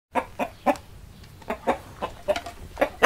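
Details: Domestic chicken clucking: short, rough clucks repeated about every quarter to half second, uneven in loudness, with no other clear sounds.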